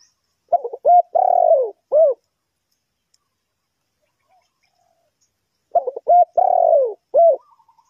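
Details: Two cooing phrases from a spotted dove, a trapping decoy in Ninh Thuận for luring wild birds. Each is clipped opening notes, a drawn-out falling croo and one closing coo, separated by quiet.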